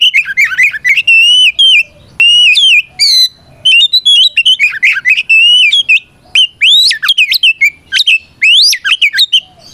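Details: Loud, continuous fighting song of a kept Oriental magpie-robin, used to call out opponents: rich whistled notes, wavering slurs and steep rising sweeps in quick succession, with only brief gaps between phrases.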